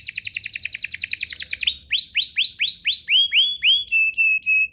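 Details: Canary song as a lure to get other canaries singing: a fast stuttering trill, then a run of upward-curving whistled notes about three per second, ending in flat clear whistles.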